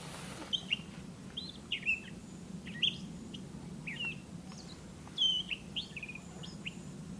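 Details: A Gray Catbird sings in the Great Swamp on 8 July 2015, a rambling run of short, squeaky, varied notes about two a second, over a steady low background rumble.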